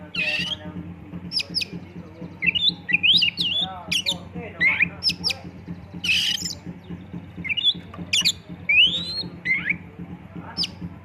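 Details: Oriental magpie-robin song used as a lure, full-filler 'tembakan' style: rapid varied chirps, rising whistled slurs and sharp high notes in quick succession over a steady low hum.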